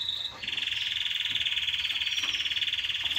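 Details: Canary singing to stimulate mating and to tutor young birds: a sustained, rapid, buzzy trill held at one high pitch for about three seconds after a brief opening note.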